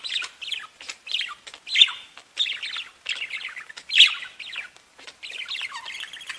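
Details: Pet budgerigars tweeting and singing: steady soft chattering warble of quick squeaky notes and clicks, with two louder bright squeaks standing out over the murmur.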